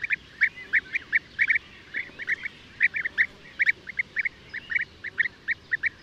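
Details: European bee-eaters give crisp repeated notes, often in quick doubles, with a thin trill between them.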